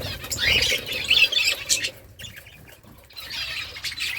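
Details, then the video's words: Budgerigars chattering with high, scratchy squawks and warbles, a quieter pause, then the chatter rising again toward the end. "Budgies parrot beautiful colour birds chirping sounds"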